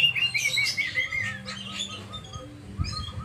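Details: Oriental magpie-robin kept as a hobby bird, singing: a short run of clear whistled notes stepping down in pitch, followed by scattered high chirps over a low background hum.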